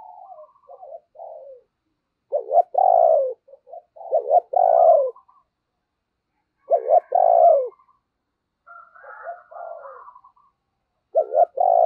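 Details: Decoy spotted dove calling to wild doves, repeating short pairs of full, mellow coos every few seconds, with quieter cooing notes in between.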